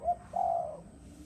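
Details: Spotted dove of the Malaysian type, singing the 'giọng đồng' style: one brief soft coo, then a longer, steady, mellow drawn-out note fading away.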